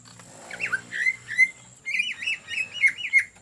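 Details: Greater green leafbird song, ngetrok style for use as a lure: a wavering slurred phrase, then a run of about eight clear, ringing whistled notes in quick succession, with a faint hum beneath.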